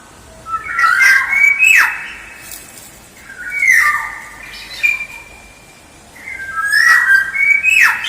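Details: Lure song of a black-naped oriole: three long phrases of rising, whistled notes, each ending in a sharp, grating flourish, with quieter gaps between.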